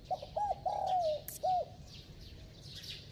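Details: Spotted dove with a bell-like voice, in fast cooing style: one low phrase of two short hooked notes, a long slurred descending coo, then a final short hooked note. Faint chirps from other birds sound higher up.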